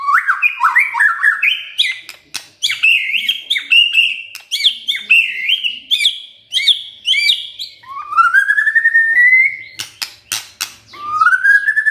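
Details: Morning song of a white-rumped shama, used to coax a quiet shama to sing: fast varied whistles and warbles, then long rising whistled notes, with sharp clicks between phrases.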